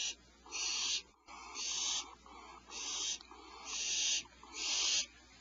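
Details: Owls at a nest cavity at 0447 hr PST, mother arriving with fresh prey for owlets that are not very hungry: harsh breathy hissing screeches, each about half a second, repeated roughly once a second, with a steady low hum behind.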